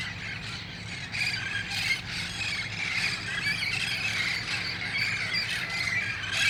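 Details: At dusk in El Cajon, August 1, 2018, wild red-faced parrots gather before going to nearby roost trees, giving a shrill unbroken chorus of screeches that grows louder after the first second, low hum beneath.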